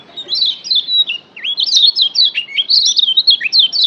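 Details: A Lombok yellow white-eye gives a rapid, continuous twittering song of high, thin slurred notes, rising and falling in a chattering stream with brief gaps; used as a training recording to spur other birds.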